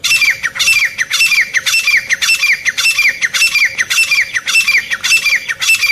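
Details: Close, loud grey francolin call series: strident, scratchy phrases with a dropping whistled tail, delivered in a steady rhythm near two per second over a low background hum. Played to attract francolins for trapping.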